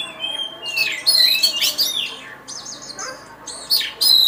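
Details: Oriental magpie-robin, a first-place songbird contest winner, singing loud, high, varied phrases of sharp whistles, buzzy rasps and rapid chatter, with brief pauses between bursts.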